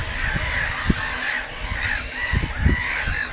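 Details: Black-headed Gull colony at Lake Hornborga: harsh, nasal, drawn-out calls about every second, overlapping in a busy colony chorus, with low wind rumble and thumps beneath.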